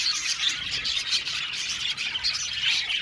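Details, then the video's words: Budgies chirping in a colony aviary, a brief burst of busy warbling with scratchy chatter and a few piercing whistled squeaks. "Beautiful budgies singing sound | budgies chirping sound"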